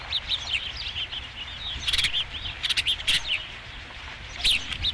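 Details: Osprey at a nest at Dunrovin Ranch, recorded 5 July 2016 around the first fish: a series of short, high, whistled chirps, some in quick bursts, repeated over the whole stretch with light background noise.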